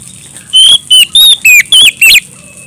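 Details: Oriental magpie-robin singing in energetic, loud, clear ngeplong style while calling a rival: six loud, sharp whistled phrases in about 1.7 seconds, each slurred and rising or falling, separated by short gaps, over a faint steady hiss.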